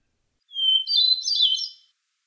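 Hermit Thrush song: a clear, sustained flute-like whistle that breaks into a rapid, shimmering cascade of higher, ringing notes fading softly. No other sounds.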